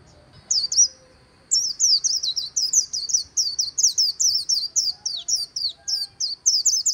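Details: A white-eye sings in líu style beside the Kỳ Cùng River. Two quick high notes and a short pause lead into a dense, lively chain of bright, slurred twitters that continues to the end.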